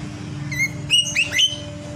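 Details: A lovebird sounding off in its sleep with a short phrase of three or four high whistled notes, sliding upward and overlapping; faint low hum in the background.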